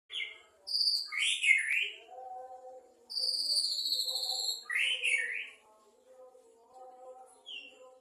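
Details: Male white-rumped shama singing in the afternoon: separate rich whistled phrases, some rising and falling, others high and sustained, with pauses between them, over a soft low hum of other background calls.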